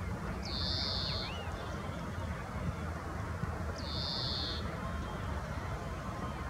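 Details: European greenfinch calling in Nelson Mandelapark, Amsterdam, Holland, on 5 April 2023; two long, drawn-out buzzy wheezing notes, each lasting nearly a second and spaced about three seconds apart, over a steady low background rumble.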